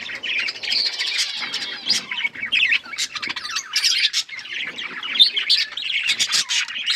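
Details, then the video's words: Budgerigars twitter and chirp in bursts of bright, rapid notes, several birds calling at once in a lively, uneven chatter. "Budgies chirping sounds"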